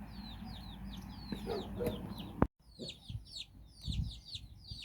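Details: Nine chicks out with their mother hen in Bizkaia, Basque Country; loud, high, falling peeps come in quick overlapping bursts, broken by a sharp click and brief silence, with low clucking-like thumps below.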